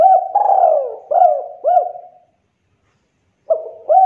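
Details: Spotted dove giving a provoking coo meant to draw replies from other doves: soft hooting notes with a rising lilt, a long falling coo, a pause of over a second, then more coos.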